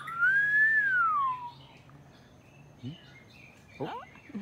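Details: White-rumped shama giving one loud, clear whistled note that rises, then slides slowly down over about one and a half seconds. Faint chirps and brief human voices follow.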